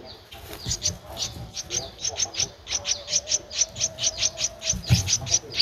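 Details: Thirteen-day-old Streak-eared Bulbul nestling in Ubon Ratchathani, Thailand, 15 April 2023: fast, pulsing run of high chirps, several per second, steadily repeated with little background noise.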